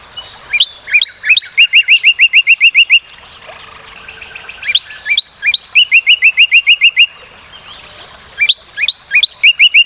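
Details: Northern cardinal, a North American bird, singing phrases that open with a few rising slurs and then break into a rapid steady chip-like trill of even whistled notes, repeated three times with short pauses.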